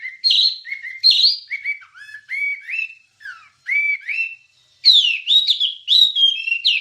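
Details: Wambie singing on a training recording: clear whistled notes, some rising and some flat, in uneven groups with short gaps, then a louder, richer warbling burst at the end.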